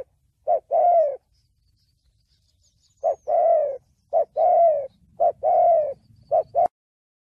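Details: Spotted dove singing thổ bầu style, a Vietnamese trapping and decoy-training recording. After a brief pause come three phrases, each a quick low note followed by a drawn-out, gently falling coo.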